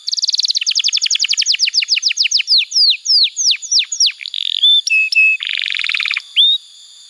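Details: Canary song played to train young canaries and restart quiet birds: a long accelerating-then-slowing series of falling notes, brief high whistles, and a dense buzzy roll before a final upslurred whistle.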